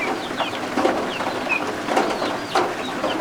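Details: High, thin peeps from just-hatched guinea fowl keets under a heat lamp, each a quick slurred chirp, several per second in loose bursts, with heavy rain falling outside the shelter.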